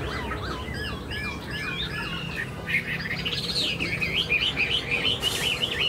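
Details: Caged, tame Chinese hwamei fanning its tail and showing off its wings: looping, curling whistles at first, then a brighter, faster stretch of rising and falling notes, roughly three a second.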